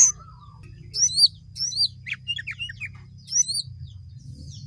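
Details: Sooty-headed bulbul singing actively: short bursts of high, sharply looping whistled notes, separated by brief pauses, with a few lower chattering notes between phrases over a steady low hum.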